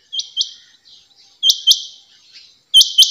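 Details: Female rain quail gives sharp, high, metallic notes in quick pairs, each pair about a second and a half apart, with no other sounds.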